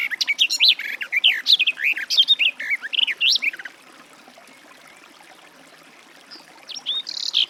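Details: Garden warbler: about three and a half seconds of rich, rambling warbled song, then a quiet gap, then the song begins again.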